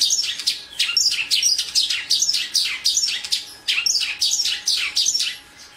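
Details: Rapid series of high, downward-sweeping chirps from a Mongolian lark, one of the four famous songbirds, repeated several times a second in steady pulses, with a faint hum in the background.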